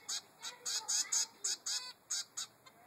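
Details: Zebra finch chick, three weeks old, begging its mother for food: nine loud, rasping nasal notes in quick succession, each short and buzzy, ending in a fainter final note.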